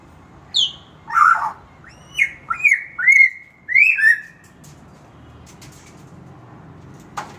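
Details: A Nias hill myna in the morning gives a burst of about seven loud notes, a harsh squawk and then ringing, bending whistles, over four seconds before falling quiet.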